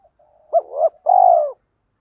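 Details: Spotted dove cooing to provoke other doves: faint low murmurs, then a short coo and a swelling note, ending in a long, burry, slightly falling coo.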